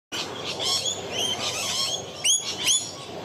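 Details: Rainbow lorikeet in Melbourne in a territorial dispute with the camera operator: a busy wash of high chattering chirps, then two loud, shrill, downward-arching screeches about half a second apart near the end.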